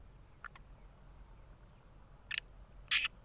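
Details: A pet black francolin (kala tetar) of the Sindhi strain gives a few harsh, grating notes: two faint clicks, then louder rasping bursts near the end, over a quiet hiss.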